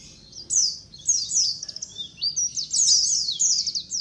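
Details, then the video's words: Group of white-eyes calling, meant as a lure: high, twittering falling notes in overlapping bursts, the flock chattering almost without pause. "SUARA KOLONI PLECI COCOK BUAT PANCINGAN PLECI AGAR CEPAT NGALAS | SUARA PIKAT BURUNG PLECI"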